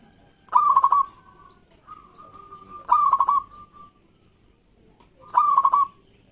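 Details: Local zebra dove in loud song used to coax silent birds into singing: three rolling, bubbling coo phrases roughly every two and a half seconds, each trailing into a level hum-like tone.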